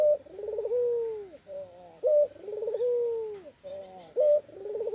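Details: Spotted dove singing an atypical call with extra koak notes: abrupt rising notes, tremulous rolling trills and long hollow coos that dip at the end, repeated steadily.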